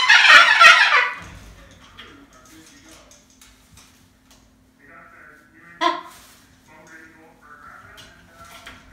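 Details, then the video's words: Pet Moluccan cockatoo screaming: one loud, harsh, broadband shriek lasting about a second. A shorter raspy squawk follows, with a person talking quietly in between. "How loud are parrots, can they get crazy loud? My Moluccan Cockatoo showing you how loud"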